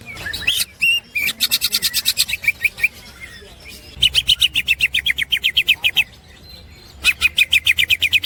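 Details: Melodious 'ngekek' snickering of a green leafbird (cucak hijau), used as a master recording to train songbirds: quick runs of sharp, evenly spaced chirps broken by brief silences, with a few higher swoops at the start.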